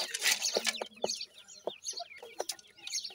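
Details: Hand-raised francolin chicks, Dakhni teetar and Desi teetar, feeding: quick high peeps sliding downward, several birds at once, with tapping and rustle.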